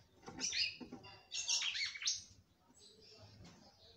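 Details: A female red-cowled cardinal from a breeders' stock sings to stimulate the male. Two loud, tangled phrases of sharp, sweeping whistles and chatter are followed by a fainter, thin trailing phrase.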